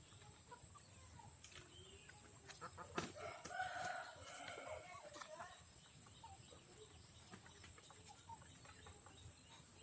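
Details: Rooster from a free-range backyard flock crows once, a loud drawn-out harmonic call lasting around two seconds, amid low clucking from the hens and a steady high background hiss; the flock is fed in the morning, 14 January.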